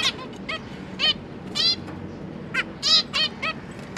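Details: Caged zebra finch family, parents feeding their three fledged juveniles, 31 October 2022: scattered short nasal honks and tooting calls, single or paired, separated by pauses, over faint low background hum.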